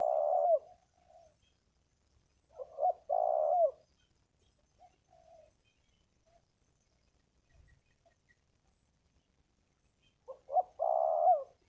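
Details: Wild spotted dove with a good phrasing and big voice, lured to a ground-arena decoy, giving low, burry coo phrases in three bursts separated by long pauses, each ending in a drawn-out rolling coo.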